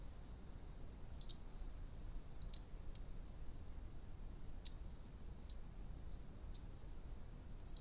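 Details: Long-tailed tits visiting a garden bird feeder give sharp, very high chips and thin tseep notes at irregular intervals, some in quick pairs, along with brief clicking sounds, all quiet against constant low-pitched background hum.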